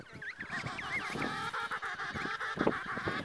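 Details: Emperor penguins on the ice near Snow Hill Island, shy and curious birds approaching a quietly sitting observer, call together in a dense chorus of overlapping trumpeting, harmonic cries, some rising and falling, over a steady low murmur.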